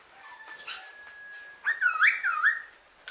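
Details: Pet female common hill myna, kept captive and talking; a quiet steady whistle comes first, then a loud burst of warbled, swooping tonal notes in the middle of the clip, and a short sharp note at the end.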